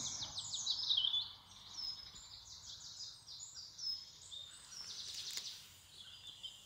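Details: Spring in England with birds singing: fast, stuttering high trills and twitters, loudest at the start, fading into quieter chirps over a soft hiss.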